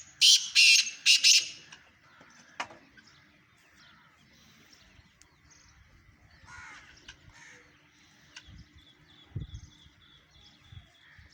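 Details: Black francolin from Sindh, Pakistan: three loud, harsh rasping notes open the recording, followed by faint distant chirps and low rustling.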